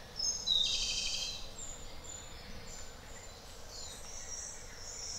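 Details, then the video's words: A loud single introductory note followed by a fast, high rattling trill from a Japanese robin, then fainter thin notes trailing off against steady background noise. "Robin Japonês - Já ouviu o canto desse passarinho?"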